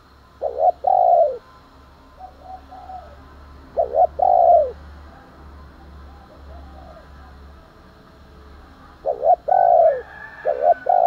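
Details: Spotted dove calling in the morning and provoking fights: three separate phrases of low hollow coos, each a stuttered opening note then a longer rounded coo, with quiet gaps and a low hum underneath.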